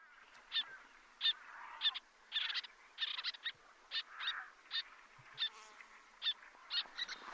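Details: Little tern on the New Forest coast, where it tries to nest on shingle at sites like Hurst Spit but is sensitive to disturbance, giving sharp, high, grating calls, roughly twice a second and uneven. A Common Tern calls in the background.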